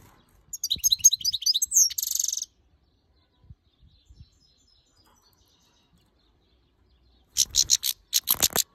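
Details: Female European goldfinch, agitated and angry toward the camera; a burst of rapid, high twittering and scratchy notes over two seconds, silence with faint clicks, then another quick series of sharp high calls near the end.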